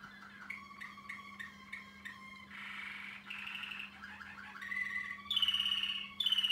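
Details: Male Waterslager Malinois canary, over one year old, singing: spaced bell-like double notes repeated about twice a second, then gurgling bubbling rolls, a short descending run, and loud high sustained trills to finish; faint steady hum.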